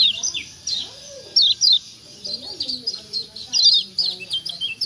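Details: Kecial kuning white-eye from Lombok, calling ciak to provoke replies from other birds; high slurred chirps in uneven clusters over soft murmuring lower sounds, with a louder pair of notes midway.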